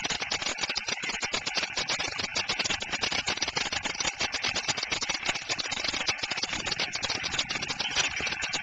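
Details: A pair of white storks at Przygodzice, Poland, 3 May 2012, guarding their nest and eggs by driving off an intruder, clatter their bills in a dry, rapid wooden rattle that runs without a break, with a steady hiss behind it.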